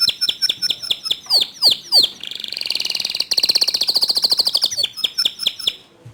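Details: Canary song used as training material to stir other canaries into singing: a run of quick downward-sweeping whistled notes, then a dense buzzy trill, ending in rapid sharp chips.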